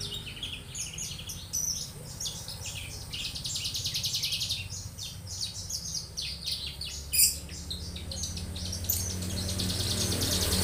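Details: A young Javan bush lark delivers a long, continuous high twittering song of rapid chirps and trills, with constant low hum and some noise.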